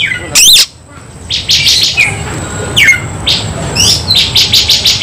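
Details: Kacer, or white-rumped shama, fighting: steep whistled sweeps, buzzy bursts and a run of rapid clicking notes, with a steady high whine throughout.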